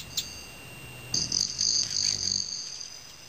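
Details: Metallic ringing wing noise of male Broad-tailed Hummingbirds in the evening dimness in Teller County, Colorado: one short high ping, then a steady shrill trill that swells and slowly fades as a bird hovers and flies off.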